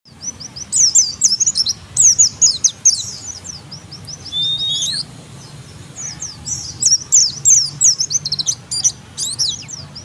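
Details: Oriental white-eye lure song meant to make other birds answer at once: rapid high thin chirps and twittering runs in bursts, with one brief lower whistle midway, over a steady low background hum.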